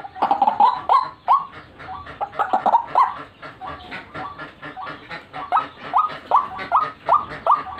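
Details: White-breasted waterhen call used to lure birds: a run of short, rhythmic notes that rise and bend sharply, repeated roughly two or three times a second in uneven bursts, getting clearer and more evenly spaced towards the end.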